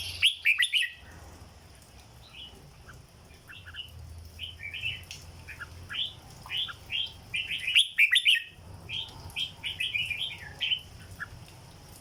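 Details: Caged red-whiskered bulbul in Thailand singing in the legendary 'rong dok' song style: bright, liquid whistled phrases of short rising and falling notes, delivered in quick uneven bursts, with two brief loud clattering noises and a low background hum.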